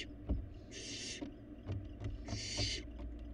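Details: Barn owl fledgling at its food in a Florida nest box, seen on a live cam; two long harsh hisses interrupted by knocking and scraping sounds of movement in the box.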